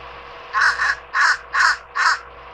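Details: Adult fish crow at a backyard birdbath in July, with its fledgling nearby, gives four short, nasal caws, the first doubled, about half a second apart over a faint hum; the nasal call distinguishes it from American crow.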